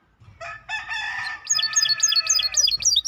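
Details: Maestro bird with a harsh, raspy burst of sound at first, then a series of rapid sharp chirps and rising-falling whistled notes.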